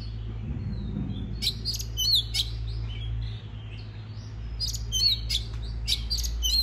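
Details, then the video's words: Song of a white-rumped shama, used to get birds singing: a faint thin whistle, then bursts of sharp chirps and looping whistled notes in two groups, with steady low hum. "Choè than hót kích bổi nghe là hót"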